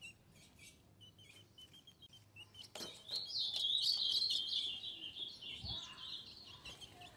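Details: A female ultramarine grosbeak, played to stimulate males, gives short high chips, then bursts into a fast, dense twittering for about three seconds before trailing off; faint background noise.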